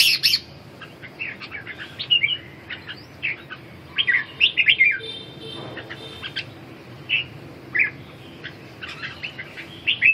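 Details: Red-whiskered bulbul giving scattered bursts of bright, slurred chirping phrases separated by short pauses, with a faint low hum in the background.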